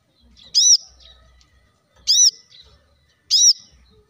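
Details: Brown-throated sunbird (kolibri kelapa), recorded as a masteran to spur leafbirds into song: three bright, sharp, high chirps repeated roughly every one and a half seconds, over a quiet background with faint low knocks.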